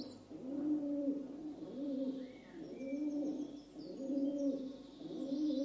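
A rock dove gives low, rolling coos, about one per second in a steady rhythm, with faint higher chirps from other small birds behind.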